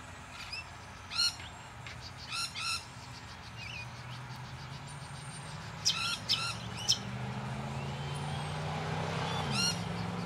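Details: Buff-banded rail at Deception Bay, south-east Queensland, Australia. Short bursts of rapid, squeaky, stacked notes are separated by pauses of several seconds, over a steady low background hum.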